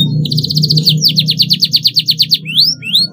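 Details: Young canary learning to sing: a fast, even trill of about fifteen high repeated notes, then a second trill of slurred notes, ending with two sharp rising whistles over a steady low hum.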